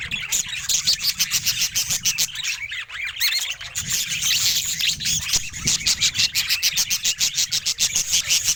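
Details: A budgerigar kept as a pet, said to be happy, produces rapid scratchy squawks and chirps in fast pulsed bursts, dense and harsh, with short pauses near the middle.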